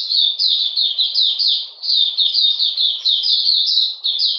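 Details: Singing Oriental magpie-robin in cold rain, 13 June 2020, giving clustered high downslurred whistles in quick succession, separated only by tiny gaps.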